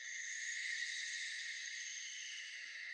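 A Barn Owl gives a long, harsh, hissing screech that holds steady for the full three seconds, rasping and breathy rather than tuneful, with no other sounds.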